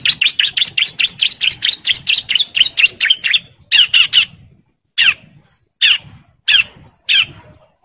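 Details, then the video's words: Bar-winged prinia male in breeding condition calling females: a fast run of repeated chirps for three and a half seconds, then slower harsh single notes spaced about three-quarters of a second apart. "CIBLEK JANTAN BIRAHI GACOR NGEBREN MANGGIL BETINA KOLONI"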